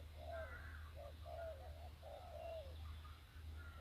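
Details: Decoy spotted dove calling to lure wild doves: soft, hoarse coos in short grouped phrases, faint against a steady low hum and light background noise.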